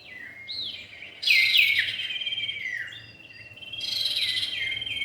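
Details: Common iora, male and female, in a lure recording: curving whistles lead into a loud burst of rapid sweet notes, then a quieter falling whistle and another rich phrase.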